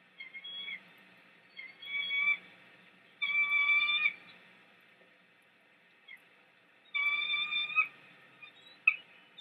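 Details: At a nest in Big Bear, a female bald eagle covers a delivered fish with her wings and calls at the male to leave so she can feed her chick; loud, high, ringing squeals in drawn-out bursts separated by pauses.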